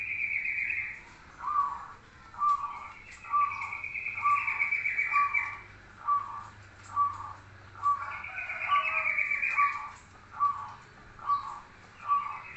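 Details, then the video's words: Local zebra dove in full cooing song, the manggung style with mbekur notes: short mid-pitched coo notes repeated roughly every second, with a higher buzzy chattering bird sound overlapping in stretches. "manggung plus mbekur mbekur perkutut lokal gacor"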